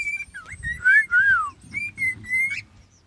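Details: Hand-raised pet cockatiels from the same clutch, 10 and 11 years old, kept in an outdoor aviary, "talking" with clear, level whistles and a few rising and falling warbled notes over about three seconds, with faint rustling.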